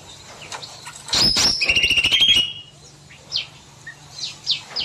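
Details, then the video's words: Evening in an aviary: a cucak mini bulbul gives a single loud, rapid rattling trill of just over a second, followed by quiet high chirps and brief whistles from other birds. "Burung Cucak Mini Gacor Panjang"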